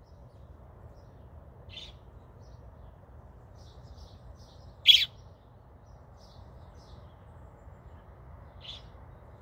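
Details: A baby American robin calling for its mother, which answers nearby from the ground, gives three sharp, high chirps about three seconds apart, the middle one loudest, over a faint low background hum.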